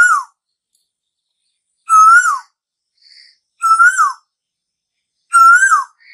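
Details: Asian koel calling in summer: repeated strong whistled notes that rise slightly and then fall, about one and a half to two seconds apart. Soft, quiet higher calls come in the pauses.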